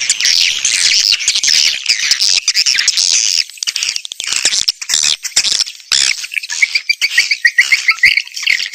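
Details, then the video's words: Swiftlet lure recording made for outdoor and indoor speakers: a dense, continuous chorus of high, buzzy twittering and chirping chatter from many birds, with sharp repeated chirps near the end and no other sounds. "Âm thanh dụ Yến"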